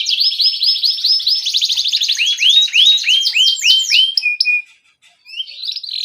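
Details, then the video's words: Canary in full gacor ngerol song, a master recording to prompt young birds to sing: quick repeated upswept chirps running into a rapid roll, a brief pause, then a steady high whistle. "Pancingan Kenari Gacor NGEROL Cuit CUIT Rekomendasi buat MASTERAN Kenari PAUD agar Cepat BUNYI"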